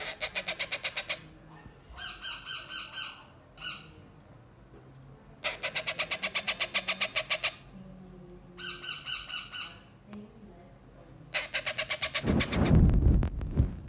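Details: Baby pet parrot imitating a drill machine: repeated rapid rattling buzz bursts, fast even pulses in runs of one to two seconds with short gaps, ending with a loud low rustling thump.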